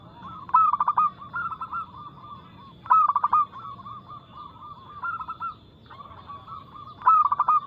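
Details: Local zebra dove singing at a fast tempo with a loud, crystal-clear voice: stuttered rapid notes break into rolling coos near one pitch, phrases returning roughly every two seconds, over a faint steady high electronic whine.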